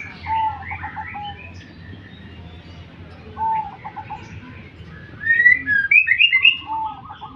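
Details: Zebra dove, a crossing bird, giving two short bursts of rapid, stuttering low coos, each under a second long. Sharper high chirps from other birds follow near the end, over a faint low rumble.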